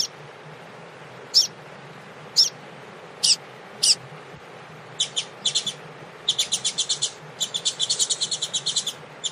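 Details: Tui tui style Double-collared seedeater warming up with a female before a contest: four spaced sharp notes, then quickening buzzy phrases building into long rapid trills, with constant background hiss.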